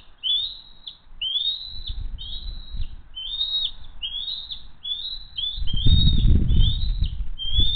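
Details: Bald eagles from the Hays nest family call as they fly in for dinner at 19:33 on 22 June 2023. Evenly spaced, high, sharp piping notes fall slightly at each end, with a low rumble building toward the close.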